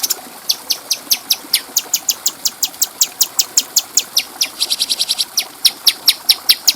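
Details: Bulbul singing for other birds to learn, a clear continuous series of piercing high chip notes repeated several times per second, quickening briefly into a tighter run near the middle.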